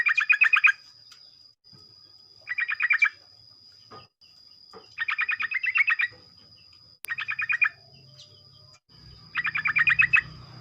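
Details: Morning sooty-headed bulbul song used to prompt other bulbuls to join in: five bursts of rapid bubbly chattering notes, each under a second, separated by pauses of one to two seconds, with a faint high tone throughout.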